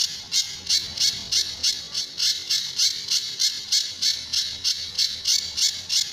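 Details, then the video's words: Pijantur, or Sunda bush warbler, singing a tembakan and besetan style master song meant for training other songbirds; a long run of scratchy, high rasping bursts, roughly three a second, with a quieter stretch of faint notes in between. "Burung Pijantur Gacor"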